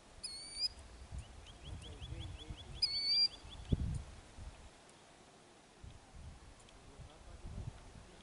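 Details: Killdeer defending eggs by feigning injury, Kananaskis, Alberta, Canada: two shrill high whistles bracketing a quick run of about ten short rising notes, then low rustling and soft thumps in the background.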